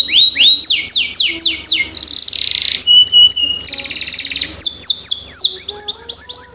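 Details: Young-canary lure song: falling whistled sweeps, buzzy trilled passages, then a burst of quick varied chirps and sweeps, clear and loud.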